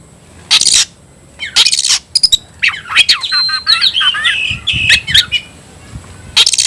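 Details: Oriental magpie-robin in 'tayoraky'-style song, giving a tangle of twisting whistles and rapid warbles between loud, harsh, hissing bursts.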